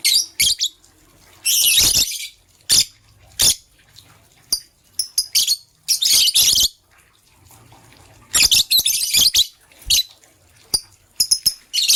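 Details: Green and blue lovebirds in the morning: bursts of loud, harsh, grating chatter, each lasting about a second, alternating with sharp single chirps and short pauses.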